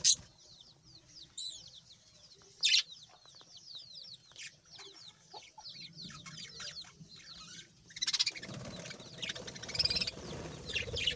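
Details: Budgerigar singing: soft, rapid, twittering chatter of high, quick slurred chirps with a few louder squeaky notes. From about eight seconds a rushing hiss and denser chatter come in, like several birds or running water.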